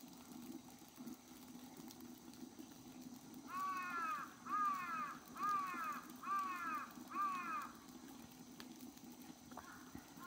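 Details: Steller's sea eagle recorded on 23 March 2022. Five loud, rich, harmonic calls, each a cluster of descending arched notes, come evenly about every 0.8 seconds. They are set against a quiet, low, droning background.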